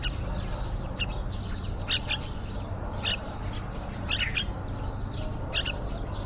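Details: Yellow-vented bulbul family at a nest built outside a window, with nestlings close to fledging; short bright chirps in quick pairs recur roughly every second over steady low rumble.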